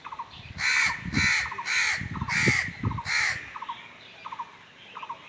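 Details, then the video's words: Five loud, hoarse crow caws in close succession, roughly two per second, followed by fainter distant caws trailing off. "Crow call | Crow sounds"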